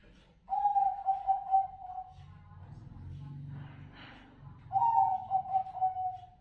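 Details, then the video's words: Bangkok-type zebra dove singing: two soft, stuttering cooing phrases, each about one and a half seconds of rapid pulsed low notes sliding slightly downward, separated by a quiet gap with faint low rumble. "PERKUTUT SENI SUARA / PERKUTUT BANGKOK"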